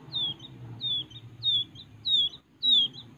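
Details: Captive young wild quail, Kediri, peeping thin high notes that slide downward, five in about three seconds, over a rumbling low background noise.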